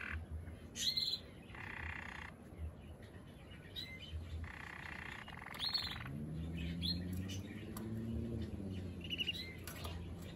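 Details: Male Waterslager canary delivering short bursts of low rolled trills separated by pauses, with scattered high chirps; in the second half a lower, wavering harmonic sound runs beneath the song.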